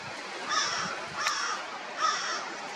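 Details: An Eastern Kingbird hunting insects on the shore of Big Bay de Noc gives two harsh, buzzy, raspy notes about a second and a half apart, with a brief sharp tick between them over a steady outdoor hiss.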